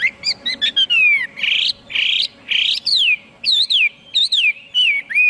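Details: Chinese hwamei pouring out loud whistled song with long descending slurs, harsh buzzy bursts and arched notes that rise then fall, phrases separated by short pauses; a low hum persists faintly.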